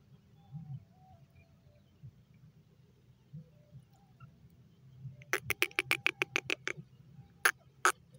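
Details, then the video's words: Francolin (teetar), apparently a hunting call sound: a rapid burst of about nine harsh, loud, clipped notes, then two more spaced notes, after several seconds of low background rumble. "teetar bird top sound dakni teeter awaz"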